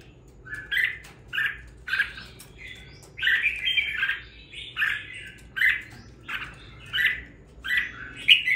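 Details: Caged red-whiskered bulbul, bought and raised for two weeks, now singing with some fire: short warbled, slurred whistle phrases repeated roughly every half second to second, clear and bright, over a faint low background hum.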